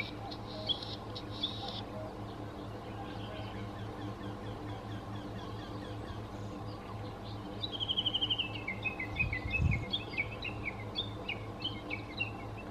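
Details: Latham's snipe calling: rough buzzy notes early on, then after a long pause a rapid run of short notes that slide steadily downward in pitch, followed by scattered chips, over a low steady background hum.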